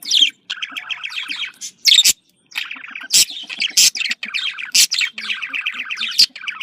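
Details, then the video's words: Budgerigar communication chatter, with long buzzy warbled phrases punctuated by several loud, sharp squawks, nearly continuous throughout. "Voz decomunicación.de loro australiano /sonido de llamada de periquito"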